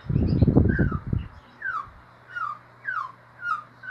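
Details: White-rumped shama in ngeriwik song: clear descending slurred whistles repeated roughly every half second after a brief low rumbling thump at the start.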